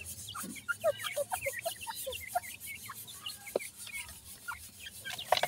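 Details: Captive dakni teetar (grey francolin) chicks in Multan, kept for sale; many short, high peeping chirps that rise and fall, scattered unevenly, with a few louder clicks and a low hum underneath.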